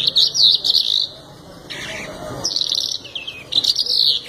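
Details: Canary in full song: bursts of bright high warbling and rolling trills, broken by short pauses, over a low steady hum and faint background noise.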